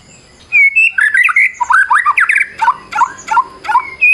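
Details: White-rumped shama singing a varied fighting song used to provoke other shamas: clear whistles followed by fast twisting slurred phrases and sharp chirps, with faint background hiss.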